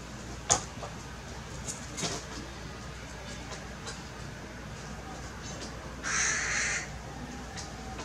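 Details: A tamed hooded crow named Karkur in Maalot-Tarshiha, Israel, gives one harsh, hoarse caw near the end, after a few sharp clicks and knocks over a low indoor hum.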